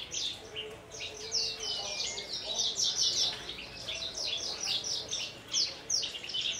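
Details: Branjangan (lark), a caged bird from Kulon Progo known for hovering before landing on a perch stone, then singing in the "Jambul" style while quivering its wings; dense, rapid high chirps and trills in continuous bursts, with faint voices behind.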